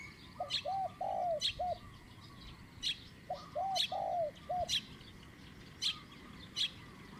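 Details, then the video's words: A caged decoy spotted dove gives the one-kook, middle-pitched style of cooing while luring wild doves. Two phrases of mellow, hollow coos are heard, three notes with a longer middle coo. Sharp high chirps repeat in the background. "ต่อนกเขาใหญ่เจ้าตี๋เล็กจัดเชลย 1 กุ๊กเสียงกลาง"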